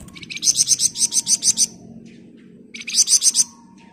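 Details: Flamboyan bird giving tight, rapid 'ngebren' song for use as a training master: about ten quick high, buzzy pulses in a row, a short gap, then five more, over a low background hum.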